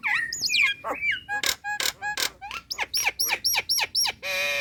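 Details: Female Nias hill myna calling a male: looping whistled notes, then a series of hard clicks and short descending swoops repeated roughly twice per second, ending in a harsh buzzy note.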